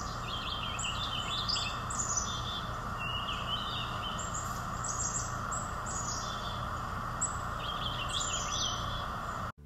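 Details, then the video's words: Purple Finch heard in winter in eastern North America sings a melodic, rich, rambling warble of quick slurred notes in bursts every second or two, over a steady low rumble of distant noise. "the purple finch makes a melodic rich warbling song but they have many different vocalizations as well"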